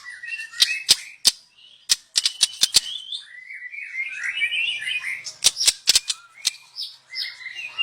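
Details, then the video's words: Young wild white-rumped shama from the forest, song for luring: series of sharp clicks, then a varied rambling warble of rising and falling notes, more clicks following. "Kicau burung MURAI BATU Muda Hutan. Cocom untuk pancingan"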